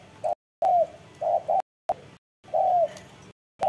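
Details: Spotted dove cooing: short low coos and one longer drawn-out note, the sequence broken by several abrupt silent gaps.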